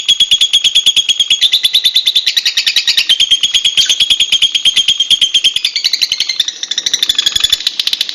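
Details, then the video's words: Wild lovebirds calling in the open: a dense, continuous stream of shrill high chirps, about three per second, forming rapid overlapping chatter with slight rises and falls in pitch. "SUARA BURUNG LOVEBIRD ALAM BEBAS"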